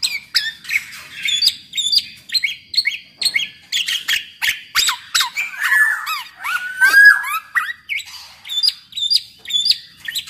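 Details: Black-naped oriole (podang mas) singing energetically, used as a lure to prompt other orioles to sing; rapid chattering run of short sharp notes and squeaks, with bright sweeping whistles, some falling slurs midway and repeated clipped notes.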